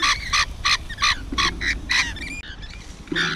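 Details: Feeding rainbow lorikeet giving a fast run of harsh, buzzy screeches, about three per second, then a brief pause and one more grating note.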